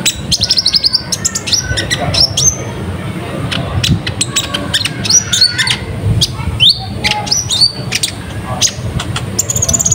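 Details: Konin (Van Hasselt's sunbird) singing continuously as a lure to attract wild birds: busy bursts of high twittering, clicks and short whistled slurs, some rising sharply, delivered almost without pause over a low, constant background hum.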